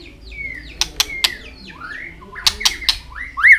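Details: White-rumped shama clicking and singing while flicking its tail to stimulate young birds: soft slurred whistles between sharp clicks, ending in a louder whistled note.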